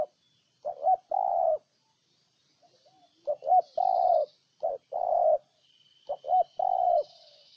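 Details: Loud spotted dove cooing in Ninh Thuận, Vietnam, three full phrases about two seconds apart, each a short hoot, a quick double note and a long steady low coo; a thin high tone runs faintly near the end.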